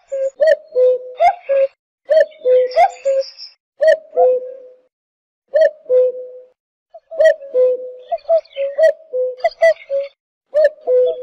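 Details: Repeated falling two-note cu-ckoo calls from a cuckoo, low and hollow, delivered in runs with a brief pause near the middle, while higher-pitched songbirds twitter and chirp throughout.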